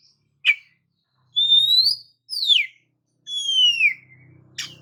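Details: Oriental magpie-robin song played to provoke silent magpie-robins: a short sharp note, then three loud whistled phrases, one rising, one steeply falling, one sliding down, ending in a sharp note over a faint low hum.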